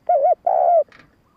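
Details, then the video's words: Spotted dove call used to lure males: a short wavering coo followed at once by a long steady coo, ending in a faint rasp. "Tiếng cu gáy hạp bổi gáy - thúc - gù bổi nghe nhanh về cội / Tiếng chim cu gáy thúc gù kích bổi"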